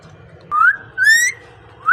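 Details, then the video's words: Parrot, described as speaking, gives clear rising whistles: two drawn-out upward slurs about half a second each, a pause, then another rising whistle starting at the end, over faint low background noise. "Amazing Parrot speaking natural sound"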